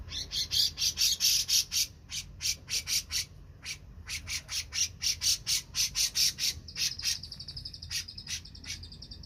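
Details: Black-crested bulbul singing energetically: long runs of rapid, high, buzzy chattering notes in irregular bursts, ending in a sustained shrill trill, over quiet low background noise.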